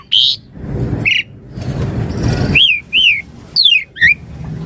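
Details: Javan pied starling singing in a lively chattering style with full variation: loud clear whistles that slur up and down, some in quick pairs, set against a steady broad rushing background noise.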